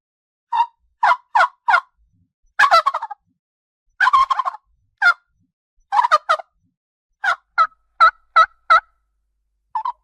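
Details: Farm turkey calling in a series of short, abrupt yelps spaced about half a second apart, broken by two brief rattling gobbles. No other sounds.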